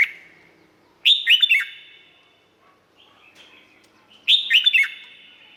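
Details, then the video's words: Red-whiskered bulbul, Thailand, cage-kept, sings two loud, lively phrases of tumbling whistled notes about three seconds apart. Faint softer notes come between the phrases. "เสียงนกกรงหัวจุก สำหรับต่อ หรือ เปิดให้นกคึก เสียงเพราะๆ"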